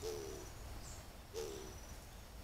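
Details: Grey-fronted dove recorded by a camera trap during the mating and nest-building season; two low, soft, hooting coos about 1.3 seconds apart over a steady background hiss.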